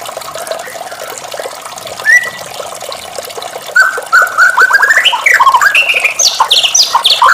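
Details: White-rumped shama singing in the morning: a varied, rich run of whistled and chattering phrases that grows louder and climbs higher after the first seconds, over a steady rush of water.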